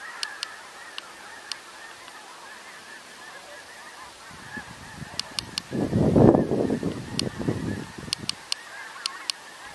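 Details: A huge flock of snow geese on 17 November gives a constant murmur of overlapping honks that swells into a dense, roaring surge midway, with sharp clicks scattered throughout.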